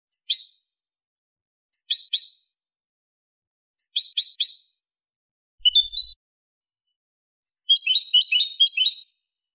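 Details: European goldfinch singing a clean song, recorded in 2023: short bursts of bright, tinkling, high chirps in clusters every two seconds, ending in a longer rapid twittering trill, with no background sound.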